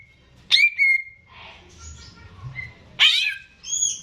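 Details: Keeper's own caged greater green leafbird singing to serve as a model for young birds: a sharp note leading into a long level whistle, quiet wavering notes, then another strong burst and a high tone.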